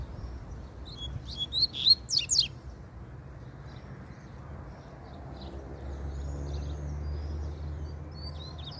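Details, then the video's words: Double-collared seedeater singing in nature: a short burst of high, sharp, rapid twittering notes lasting about a second, followed by faint scattered chirps over a steady low rumble of background noise. "Coleiro Na Natureza Muito Fibrado Troncando Canto"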